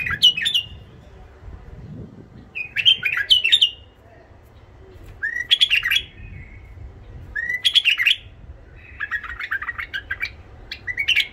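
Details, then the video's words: A tame white-eared bulbul (Iraqi bulbul) with a rough, golden-throated voice, used to rouse wild bulbuls and tutor young ones, sings short, bubbly, fluty phrases of about half a second, repeated every two to three seconds, over a quiet low hum. "تغريد بلبل عراقي ابيض الخدين اليف صوت خشن حنجره ذهبيه"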